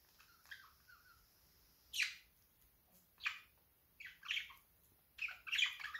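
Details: Pet budgerigar giving a few short chirps, spaced bursts of bright, raspy chatter spread over about six seconds, with quiet pauses between them and faint low hum beneath.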